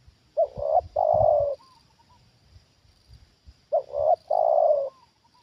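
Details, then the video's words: Trained Spotted dove answering a wild bird lured down again: two loud phrases about three seconds apart, each a stuttered double note and a long hoarse coo trailing into soft fading notes. "Inilah Reaksi Tekukur Ajaran Di Turunin Burung Liar Untuk Kedua Kalinya"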